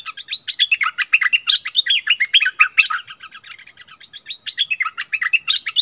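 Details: Striated bulbuls in the wild, arguing fiercely. Rapid, liquid warbling runs of short up-and-down whistled notes flow almost without a break. The chatter softens slightly midway, then builds again toward the end.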